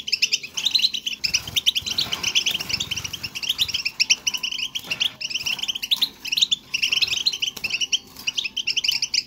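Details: Goldfinch twittering (batbata) offered as a stimulus for a silent European goldfinch to sing; long run of quick high chirping phrases separated by several short gaps, with a low murmur in the background early on.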